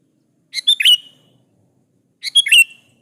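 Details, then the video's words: Gacor sooty-headed bulbul (kutilang) lure song for drawing replies from other bulbuls; two busy phrases of stacked chirps, each ending in a drawn-out slurred whistle, spaced about 1.7 seconds apart. "KUTILANG jenis apapun Pasti nyaut di Masteri suara burung kutilang gacor ini"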